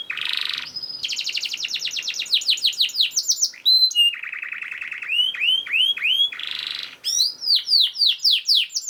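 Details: Fast, dense canary song meant as a master for teaching caged canaries, with rapid rising note series, a steady low rattling trill, and bright down-slurred whistles repeated several times a second.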